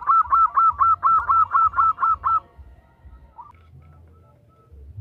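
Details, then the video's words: Female zebra dove calling to a male: a quick series of about eleven short, clear, slightly rising notes at a steady rhythm, then quiet with a faint note and a low background hum. "Suara Perkutut betina Memanggil Jantan || The sound of a female turtle dove calling a male"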